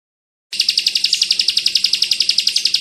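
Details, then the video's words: Bar-winged prinia, ciblek kristal song in the fast, close-packed 'bren rapat ak 47' style, used as a training recording for other cage birds: high, sharp notes fired in a rapid, even burst of about eight per second after a brief silence. "Masteran burung ciblek kristal bren rapat ak 47"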